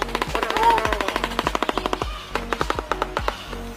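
A shoebill rattles out a rapid, hollow, machine-gun clatter of dry knocks, about eight per second, with background music playing throughout.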